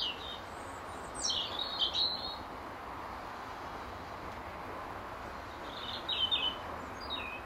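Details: Local robin singing from an apple tree in the last hour of daylight to defend territory; two bursts of high, thin, tinkling phrases several seconds apart, with quiet hiss between them.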